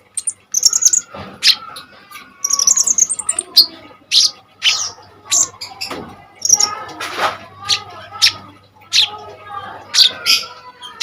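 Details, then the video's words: Common iora (konin) singing energetically, used as master song to train kolibri ninja birds: a busy run of high whistles and trilled bursts, broken by harsh scratchy chips in quick succession. "KONIN GACOR FULL TEMBAKAN SADIS"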